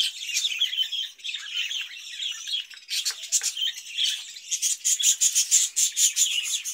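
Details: Budgerigar warble from birds kept in a cage: soft, wavering chirps at first, then louder pulsed twitters and a quick series of high pips near the end.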